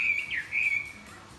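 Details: Short burst of morning song from a wing-flapping Chinese hwamei: a couple of clear, slurred whistles, the first dipping in pitch, the second steady and fading.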